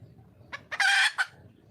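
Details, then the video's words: Wild red junglefowl hen calling for a male: two short lead-in notes rise into one loud, coarse, rasping squawk lasting under half a second, then a final clipped note and quiet. "le bruit d'une poule sauvage,เสียงไก่ป่าร้องหาถู่หาตัวผู้,ສຽງໄກ່ປ່າຮ້ອງຫາຄູ່ຮັກ, poj qaib qus see"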